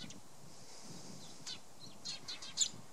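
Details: Eurasian tree sparrows on Tatyshev Island, Krasnoyarsk, on 30 March 2015, taking up nest sites for breeding, give a few short, scratchy chirps, quickening toward the end, over a low background rumble.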